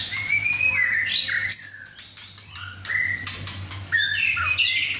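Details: Male White-rumped shama, 6½ months old, fresh from his first moult, in a home chai session with other birds: fast, varied song of piercing whistles, quick upslurs and downslurs, almost continuous, with a low background hum.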